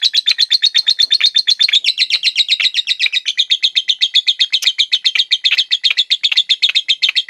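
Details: Ngekek song of a Batman lovebird held for its duration: rapid, dense high chatter of sharp chirps, close to four per second, steady and continuous throughout, nothing else heard.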